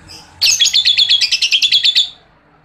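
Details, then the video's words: Lovebird ngekek, a long chattering song used to train other lovebirds; a rapid rattling trill of about fifteen buzzy high notes lasting under two seconds. "SIMULASI pancingan lovebird TERBUKTI AMPUH NAIKAN MENTAL LOVEBIRD cepat Gacor NGEKEK panjang"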